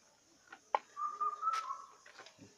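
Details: An Asian koel calling in a banana plantation in Barisal, Bangladesh, gives a single clear whistled note that steps up slightly in pitch, with soft clicks and handling noise around it.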